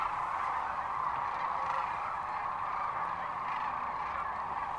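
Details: A great crowd of sandhill cranes at Rowe Sanctuary, Gibbon, Nebraska, on March 13, 2014, fills the air with continuous overlapping rattling trumpets, with no pause in the massed din.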